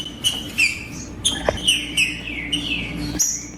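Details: Trinca-ferro, the green-winged saltator, singing macheando to fire up another bird: a chain of rich whistled notes that fall in pitch, repeated roughly every half second, with a faint steady hum underneath.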